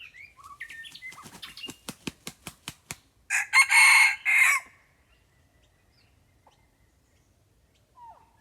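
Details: Red junglefowl lured with a decoy bird: a quick run of wing-flaps, then one loud, harsh, broadband crow lasting about a second and a half, with faint small-bird chirps before and after in quiet surroundings.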